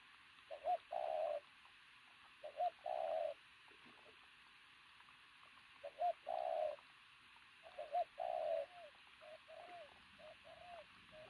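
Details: Loud-cooing pigeon with an athletic build gives a series of low coos, each a short note plus a longer hoot, followed by several shorter softer coos, over light hiss.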